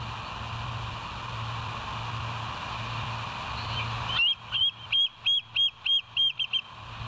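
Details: Bald eagle on a West End live cam, 07/09/2023, 06:24: after four seconds of steady hum and hiss, a burst of sharp, high-pitched yelping notes repeats about three times a second.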